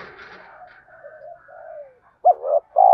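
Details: Spotted dove cooing intended to trigger cooing in other doves. Two seconds of faint, breathy cooing against a soft background are followed by two loud, deep coos at the end.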